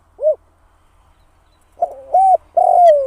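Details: Spotted dove trapping decoy giving its 'kharom' style call: a single short rounded hoot, a pause, then a loud phrase of a quick lead-in note, a steady coo and a long falling coo.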